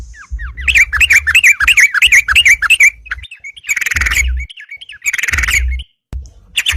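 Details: Yellow-vented bulbul singing to challenge rivals to fight, played as a lure: a quick series of bubbly, rising-falling whistled notes, then harsh bursts of noisy chatter, with low thumps underneath.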